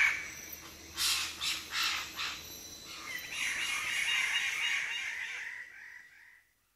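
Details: Wallace's standardwings at Labilabi, several birds calling animatedly at close range from a perch: loud harsh, crow-like bursts, then a broader overlapping rasping chorus that swells and fades out.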